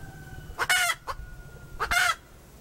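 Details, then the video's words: Domestic hen giving two loud, harsh, rasping squawks about 1.3 seconds apart, the first with a brief short note after it; a faint steady hum runs through the background. "Poj qaib dib เสียงไก่ตัวเมีย เสียงจริง"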